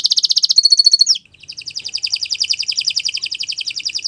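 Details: Canary delivering a long song for teaching other birds: rapid high trill, a short metallic whistle, a drop, then a sustained chattering trill repeated quickly to the end.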